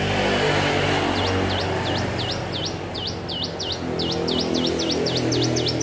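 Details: A hill prinia rehearses its song: a long, evenly paced series of bright swooping notes, each sliding down and back up, about four per second, over a constant low hum.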